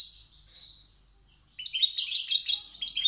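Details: Wild European goldfinch from Tiaret singing in the old song style. A brief high note at the start, a quiet pause, then about a second and a half of rapid, bright twittering and tinkling phrases.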